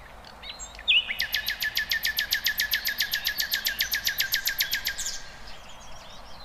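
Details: Bird singing in the wild: one sharp upslurred note, then a long, even trill of rapid, clicking notes, about four per second, lasting around four seconds before stopping abruptly. Faint chirps from other birds.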